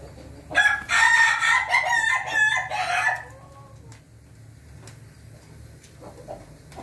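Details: Ayam Ketawa rooster with a red comb, recorded 20 May 2024, crowing: a loud three-second burst of rapid, choppy, stuttering syllables like laughter, ending in a few softer trailing notes, then quiet background.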